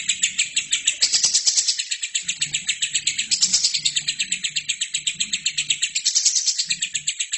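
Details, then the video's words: A lovebird sings nonstop for training other birds, pouring out rapid, piercing chirps in a steady pulsing stream, louder swells around one, three and six seconds, with a faint low drone underneath. "LOVERBIRD GACOR!!! INILAH HASIL TERAPI MASTERAN TERBAIK 2017"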